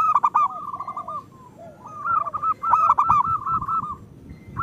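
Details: Local zebra dove pouring out rapid cooing phrases, used to coax idle doves to sing: dense fast coo strings with sharp accented bursts, then a quieter stretch with low rumbling noise.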